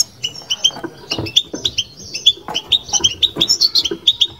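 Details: Caged European goldfinch in batbata style: evenly spaced bright chips and twitters, roughly four per second, slightly rising in places, over quiet low rumbling knocks.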